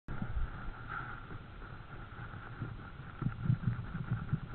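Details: Low rumbling outdoor background noise with a faint steady hum and occasional soft knocks, no animal calls heard.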